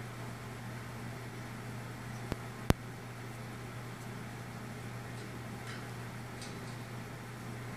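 Steady hiss and low hum indoors, with two sharp clicks and no clear animal voice.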